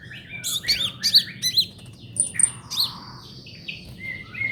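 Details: Brown-throated sunbird, locally kolibri ninja, in trotol song for tutoring songbirds: dense bursts of high twittering chirps and slurred notes, then a few piercing whistles and a drawn-out buzzy tone.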